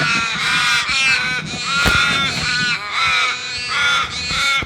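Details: Flock of crows cawing loudly, rapid harsh calls overlapping in a busy chorus, individual caws surfacing roughly every second amid the din.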